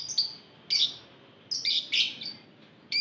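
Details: Massed lovebirds whose calls serve to prompt other lovebirds to sing; high, piercing chirps and short screechy bursts at uneven intervals, some doubled.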